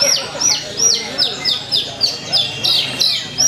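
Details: At a Purwakarta songbird contest on 2 February 2020, a Javan bush lark sings a string of sharp, high whistled notes, each sliding steeply downward, repeated nearly three times a second, over quiet background chatter.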